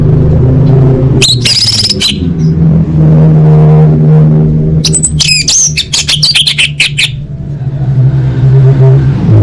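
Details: Orange-headed thrush (anis merah) singing in a masteran song-training recording for cage birds: loud bursts of sharp, high, rapidly varied notes at about 1–2 and 5–7 seconds, over a constant low engine-like rumble.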